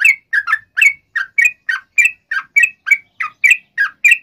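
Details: Lively song of a sooty-headed bulbul played to make other bulbuls sing: rapid repeated bubbly chirps, a little harsh, about three per second, each with a slurred upward twist.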